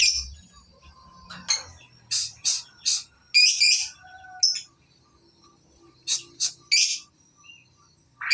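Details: Young lovebird practising long ngekek trills; clusters of sharp high chirps and short rasping bursts separated by quiet pauses.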